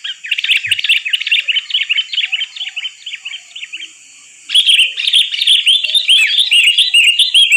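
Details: Sooty-headed bulbul trapping lure: fast, continuous twittering chirps, a brief silence, then a louder, denser second burst of slurred notes.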